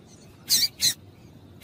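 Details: Female double-collared seedeater calling to excite a male, giving three quick, loud, high-pitched chip notes in a row, the first two close together, over light background hiss.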